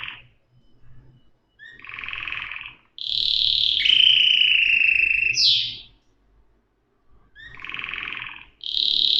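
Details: Canary with buzzy rolled phrases separated by pauses, including a long loud trill with overlapping whistled tones in the middle.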